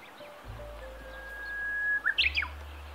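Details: Territorial Japanese bush warbler holding the same branch along a river in northern Harima, Hyogo, Japan, in the great reed warbler season, gives one long steady whistle then a quick tumbling burst, the classic 'hoo-hokekyo' song, over low wind rumble.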